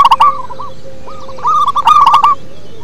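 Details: Local zebra dove, deep-voiced, gives a loud clipped coo, a few soft trailing notes, then builds into a long rapid stuttering phrase.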